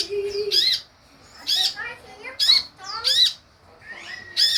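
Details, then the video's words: Sunbird song used as a lure to make other sunbirds answer and sing: loud, harsh bursts of sharp high notes with sweeping slurs, repeated about every second, with a brief low tone at the start. "SUARA PANCINGAN DAN MASTERAN UNTUK SEMUA JENIS KOLIBRI YANG AMPUH MEMBUAT KONIN NYAUT DAN IKUT GACOR"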